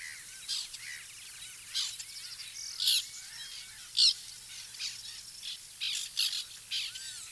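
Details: White-winged terns at their nesting colony, recorded in 2021: scattered harsh, scratchy calls at an irregular pace, some louder, mixed with thin, downward-curving whistled notes.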